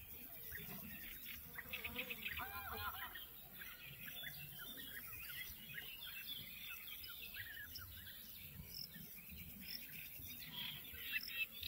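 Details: European bee-eaters (Merops apiaster) at Izliv Soče nature reserve, Slovenia, 14 June 2024: rolling, liquid 'prruip' calls, repeated and overlapping from several birds, over a steady insect buzz and low background rumble.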